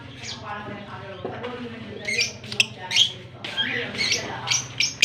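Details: Kissing pair of lovebirds, Fischer's and blue personata, Larkana, Sindh, October 20, 2023; scratchy high chattering and squeaky chirps in irregular bursts, growing busier in the second half, over a low hum.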